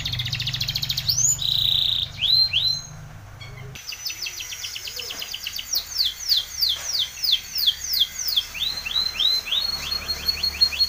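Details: Timbrado canary from Spain singing for training: a short held tone and chirps, a brief pause, then a long series of rising chirped notes in rhythmic bursts.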